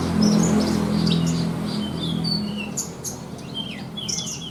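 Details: Caged branjangan, Horsfield's bush lark, kept for song contests, mixes clear whistles with sudden sharp chirps in its mimicry-filled song, alongside a low droning hum.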